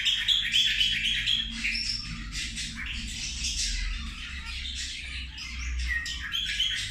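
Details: Several zebra finches calling while they eat, giving dense overlapping nasal squawks and chirps about four times a second, with a busy, noisy flock chatter throughout.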